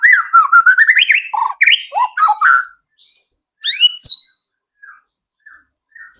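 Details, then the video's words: White-rumped shama singing as a prompt for other birds to start singing and reveal their repertoire: a fast jumble of whistled and chattering notes, then silence, a brief high rising burst, and a few soft isolated whistles. "PANCINGAN MURAI BATU AGAR CEPAT BUNYI BONGKAR ISIAN"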